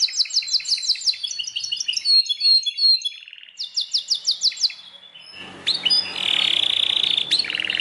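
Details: Belgian canary song of fast repeated high notes and short trills, followed by a louder stretch of continuous noisy, tonal sound near the end.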